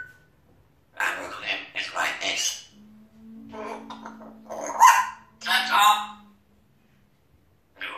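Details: A pet African grey parrot indoors, chattering to himself: bursts of rough, speech-like babble and squawky syllables, broken by a low steady tone and short pauses.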